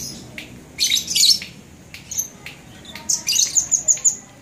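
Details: Labet singing west of the fort at the Blokagung boarding school, Banyuwangi, January 2018: scratchy high chirps, then a quick series of about six sharp, thin, high notes.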